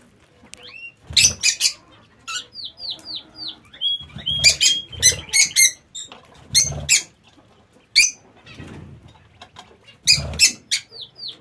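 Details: Lovebirds kept in an aviary chatter with quick downslurred squeaks in short runs, separated by loud broadband flapping and rustling bursts.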